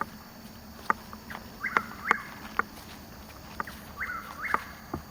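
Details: Pre-dawn Chuck-will's-widow in Hungryland Slough woodland, Palm Beach County, Florida, 21 March 2015, two hours before sunrise, captured with a Nikon Coolpix AW100: two whistled swooping phrases, interrupted by sharp clicks and rustles close to the microphone.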